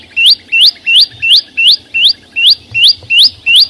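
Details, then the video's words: Green flowerpecker singing clearly in the wild: ten bright, high, upward-slurred whistles delivered at an even pace, nearly three per second, with no other sounds. "Tiếng chim sâu xanh hót vang"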